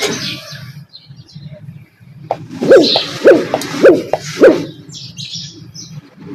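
A dove gives four soft, low coos about half a second apart over a faint steady hum.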